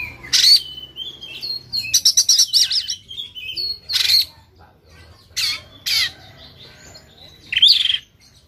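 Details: Agitated Sumatran white-rumped shama in fighting mood with tail spread, delivering loud harsh bursts: buzzy rattling phrases, rapid stuttered notes and sharp high whistles separated by pauses of one to two seconds.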